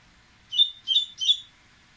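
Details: An excited Dubois's seedeater getting ready to sing delivers three evenly spaced bright whistled notes, each a quick slurred syllable, in about one second against a quiet hissy background.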